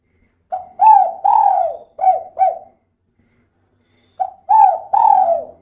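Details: Female spotted dove in the kuk-kuk calling style, played as a lure so other doves start calling; two bursts of low coos, the first with two long and two clipped notes, the second with three, in a quiet setting.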